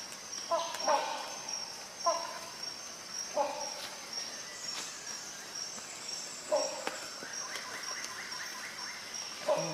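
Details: Rhinoceros hornbill calling: harsh, nasal honks with rich overtones, repeated at uneven intervals of one to three seconds, some doubled. A steady high insect drone continues throughout.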